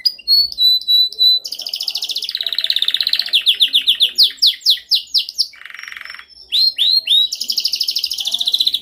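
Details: Domestic canary delivering dominant training song: long sequences of quick repeated notes and rolling trills, a brief buzzy rasp midway, then more rapid chattering tours, loud and continuous throughout.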